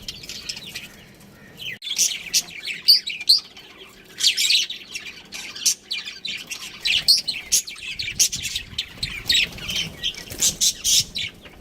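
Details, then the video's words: Budgerigars kept as a breeding pair chirp in irregular bursts of sharp, high, scratchy notes, a short lull early on, then steady chattering warbles throughout. "Cute Budgies Chirping Sounds"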